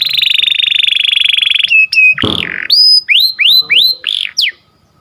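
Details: Canary song in the morning: a long, loud, steady rolling trill breaks into short chips, then a series of rising whistled notes that level off, repeated about twice a second.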